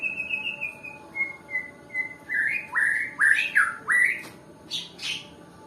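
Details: White-rumped shama from Nias, shown as an example of a reluctant singer. A gently descending run of whistles leads into stronger upward-swooping notes and a few sharp, high chips, then the bird eases off.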